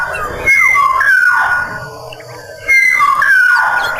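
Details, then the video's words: Black-naped oriole from Sumbawa in lively song, two liquid, descending whistled phrases roughly two seconds apart, with a soft low rumble between them. "burung kepodeng sumbawa gacor!!"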